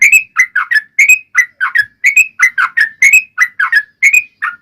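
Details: Yellow-vented bulbul giving lively fighting-style long rolling song meant to provoke other bulbuls into replying; gurgling whistled notes in quick paired phrases, rising and falling, repeating roughly every second without a break.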